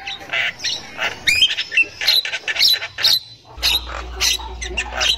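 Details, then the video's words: Wild Javan myna recorded as a lure for young mynas: rough chattering squawks and clicks in quick irregular bursts, with a low steady hum entering near the end. "Burung Jalak Kebo Super Gacor Untuk Pancingan Jalak Kebo Muda"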